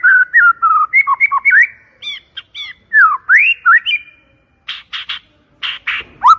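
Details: White-rumped shama lure song, clear and loud: varied whistled slurs and warbles, then harsh rasping bursts between a few rising whistles.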